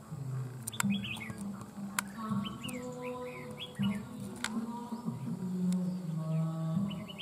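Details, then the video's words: Caged, wild-caught má trắng songbird in vigorous voice, described as sounding like an old bird, singing over a decoy bird. It gives bursts of quick, descending chirped notes in short runs over a steady low hum, with occasional sharp clicks. "Má trắng VIP CHÉ ĐÈ MỒI GIỌNG NHƯ CHIM GIÀ NẾT CẦU CÁNH MỎ CỰC HAY"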